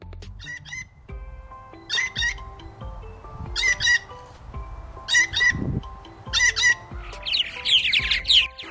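Harsh, nasal jay squawks, often in pairs, come about every one and a half seconds over steady background music.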